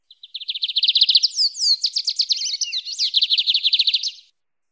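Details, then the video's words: Canto mateiro of a lined seedeater for training or warming up a kept bird: fast, even chirping notes give way to a tumbling burst of varied sweeping whistles, then another run of quick repeated notes. "Bigodinho Canto Mateiro - Esse Canta Muito - Ótimo para Treinar ou Esquentar seu Bigode"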